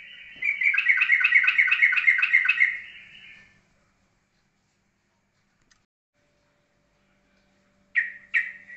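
A yellow-vented bulbul gives a quick bubbly run of about eight repeated chirping notes over three seconds. After a pause come two short, sharp notes.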